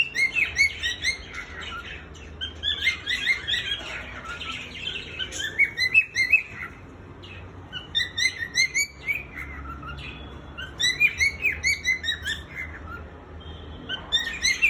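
A male cockatiel sings bright, chirpy whistles in quick bursts, with short pauses between phrases.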